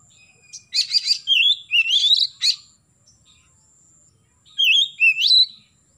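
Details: Morning song of an Oriental magpie-robin, used to stimulate young birds to sing. It opens with rapid buzzy trilled notes, then two rising whistles, a sharp note, a pause of about two seconds, and two more upslurred whistled phrases.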